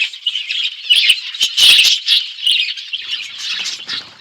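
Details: Budgerigars in an outdoor forest aviary eating seeds: a rolling, rattly chatter of many voices swelling around the middle and fading toward the end.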